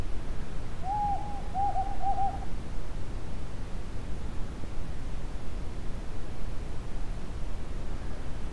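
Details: Desert Tawny Owl, one of a calling pair in a remote part of the Judean Desert, Israel: a single hooting phrase, a drawn-out hoot followed by two quick paired hoots, then silence over steady low wind-like rumble.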